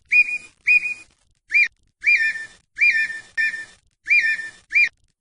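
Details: Brazilian perdiz or perdigão, red-winged tinamou, singing: clear whistled notes, some short and some drawn out with a slight downward slur, repeated about once per half second with short gaps, no other sounds.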